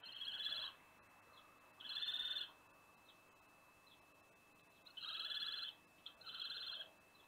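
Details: A pair of common kestrels visits the nest box at Théding, France, on 16 July 2021. They give four drawn-out, slightly harsh high calls, each under a second long, with pauses of one to three seconds.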